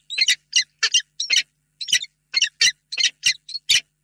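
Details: Peregrine falcon pair meeting in a nest box at Reda, Poland, before evening on 28 February 2022, in a long, tender meeting. Harsh, rasping notes repeat about three times a second in an uneven run of around a dozen.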